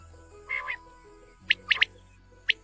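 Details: A quail in a village, recorded for hunting, gives sharp, high, clipped notes: a quick run of three, then a single note a second later, over a low steady hum.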